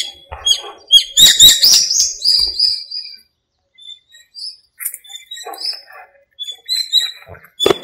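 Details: Park birds active at dawn in the breeding season, during the monsoon rains: a loud burst of overlapping chirps and twittering whistles, then scattered high single notes and short chirps spaced through the quieter remainder.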